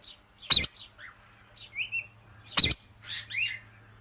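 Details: Ringneck parakeet giving two loud, piercing shrieks about two seconds apart. Soft, quick chirps and short upward-sliding whistles fall between them, with a faint low hum behind.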